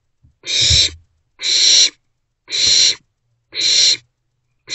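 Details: Three owlets in a nest box, 13 April 2024, between 1:05 am and 12:46 pm, repeat a steady hissing screech about once per second, five harsh breathy bursts of equal loudness with slight low thumps beneath.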